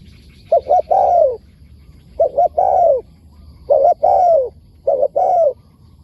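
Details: Spotted dove, wild, answering a decoy and tracked for a month, praised for its wild calling style. Four loud, rich phrases sound about every one and a half seconds. Each is two quick notes and then a drawn-out, downward-sliding coo.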